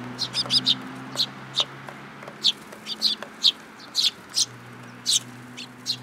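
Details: At a Tenmangu shrine on 8 July 2022, sparrows come to be fed, uttering a lively series of short, high chirps, some paired, roughly twice a second, over a low mechanical drone.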